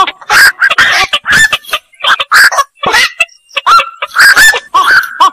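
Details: Croaking, honk-like squawks of black-crowned night heron, several voices overlapping, with a few clearer drawn-out nasal notes that bend in pitch near the end.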